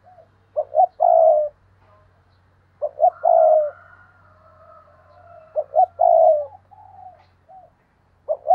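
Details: A spotted dove used as a decoy to stimulate and call in new wild doves gives soft, hollow coos in repeated phrases, a short double note then a longer drawn coo.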